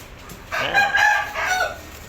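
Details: Hornbill giving a loud, harsh, raucous call in two or three rough bursts lasting about a second, while a person nearby coaxes the bird closer with calls of "come on".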